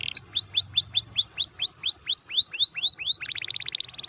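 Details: Canary song used to get other canaries singing: a dozen arched whistled notes repeated evenly about every quarter second, then a fast high trill.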